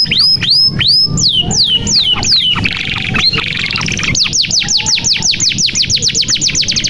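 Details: Singing canary, played to prompt young or stalled birds to sing: sweeping downslurred whistles, a buzzy rattling roll, then a long rapid train of repeated descending whistles, about three per second or faster.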